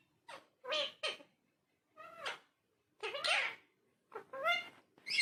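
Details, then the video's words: A talking parrot in a quiet room gives meow-like syllables in short separate bursts, some rising and falling and slightly hoarse, with brief silences between them. "Talking Parrot"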